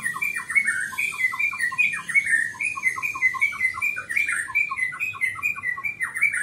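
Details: Greater green leafbird used as master recording for training pet birds, delivering a dense continuous medley of slurred whistles, chips and quick descending notes, busy throughout.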